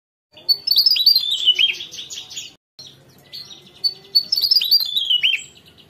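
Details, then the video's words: Javan tesia (Tesia superciliaris) singing energetically: a fast jumble of high, sharp twittering notes with descending slurred whistles, in two bursts separated by a brief pause. "Tesia Jawa Gacor Ngerol"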